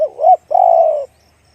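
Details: Spotted dove cooing in the one-kuk big-voice style: a cut-off low note, then a short rising hoot, a brief pause and one long, steady, mellow coo that falls slightly at the end. The background is quiet.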